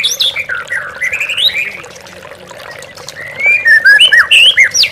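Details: White-rumped shama song used as a lure recording to provoke caged birds into singing as if facing a rival: loud, varied whistled phrases sliding up and down, a quieter pause mid-clip, over a steady trickling-water background.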